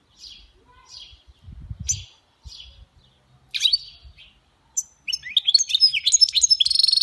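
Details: Goldfinch mule in khalawi-style song: a series of spaced, high twittering notes, then a quick jangling run of rapid, tinkling trilled notes at the end, with faint low rustling early on.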